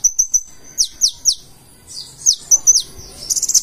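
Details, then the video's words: Purple-throated sunbird, locally konin, in energetic 'gacor isian' song: a few thin high whistles, then sharp downslurred chips, ending in a quick buzzy trill of very high pulses. "KONIN GACOR FULL ISIAN"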